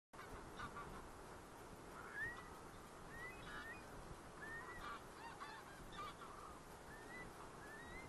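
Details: Several geese give short, upslurred honks overlapping irregularly against steady wind hiss at Kulgur, 19 September 2018, around 23:07 at night; curlew also present.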